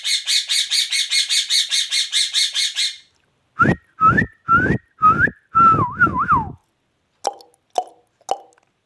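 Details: Indian ringneck parakeet, a Pakistani talking parrot, giving a rapid harsh chattering series, then four short rising whistles and a warbling whistled phrase, followed by three brief squeaks.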